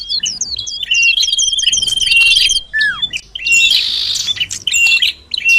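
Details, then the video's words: Common iora sound for luring birds close: a run of quick chipping notes over a sustained thin whistle, then a falling slurred whistle and a louder burst of mixed chirps and twitters. "Suara Pikat Sirtu Cipoh || Di jamin Mendekat"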